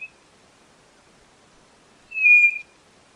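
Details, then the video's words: White-bellied nothura: one clear, steady whistled note of about half a second, rich and pure, after a long silence, with a faint brief whistle at the very start. "Canto da Codorna do Nordeste Nothura Boraquira"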